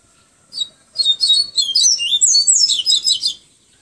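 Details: Yellow-bellied seedeater from Salvador, Bahia, singing a fast, high, continuous warble of sweeping and twittering notes for about two and a half seconds after one short introductory chirp.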